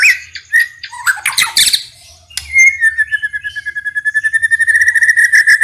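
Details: White-rumped shama (murai batu) giving harsh squawky bursts, then a long accelerating series of rapid repeated chip notes, about three or four per second, rising in loudness.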